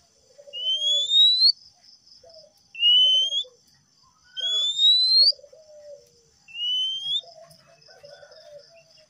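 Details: Male Oriental magpie-robin whistling, offered as therapy for stressed or silent kacer: four clear rising whistles, each under a second and spaced about two seconds apart, with soft lower warbling notes in between and a faint steady high hiss.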